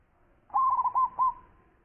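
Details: Local zebra dove (perkutut) in full song, described as a champion bird with a big voice: one short phrase of soft, rolling coos, three swelling pulses running into a fading trailing note.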